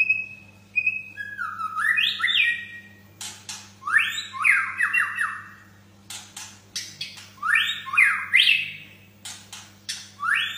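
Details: White-rumped shama singing vigorously: loud whistled phrases of sweeping, stepped notes alternating with sharp clicks, roughly every second or two, over a steady low electrical hum.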